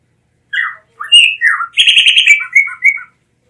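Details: Blue mockingbird delivering a rapid, varied phrase of slurred whistles, a scratchy buzzing section and short clear notes repeated several times, lasting about two and a half seconds.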